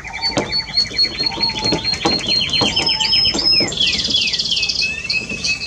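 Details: Spanish Timbrado canary, recorded 30 May 2017, delivering a fast pulsing trill with repeated clicky notes, then a buzzy rolled phrase and descending whistled slides, against a steady low hum.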